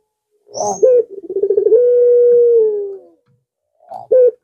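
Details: Puter pelung dove cooing to lure rivals: a stuttering, pulsed lead-in rising into one long, steady, hollow coo held for over a second, then fading, followed by a short clipped coo.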